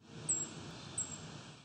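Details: Two very high, thin, sibilant seep notes from a Brown Creeper, about 0.7 seconds apart, over a steady low hiss; recorded July 19, 2019, near Wiarton, Ontario, Canada.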